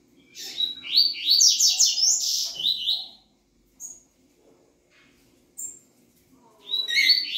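A double-collared seedeater sings a fast, bright run of high twittering and buzzy notes for about three seconds, then gives brief sharp chips and starts another phrase.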